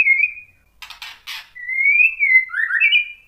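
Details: White-rumped shama song played to provoke other shamas: a drawn-out clear whistle, a burst of scratchy clicks, then long gliding whistles that rise and fall, with a lower slurred note and a final wavering whistle.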